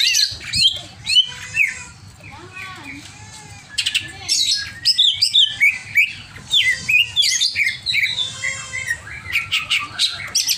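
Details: Agitated, over-excited greater green leafbird pouring out a busy, jumbled song of quick whistled slurs, harsh chattering bursts and upward-sweeping notes, with brief pauses between energetic phrases.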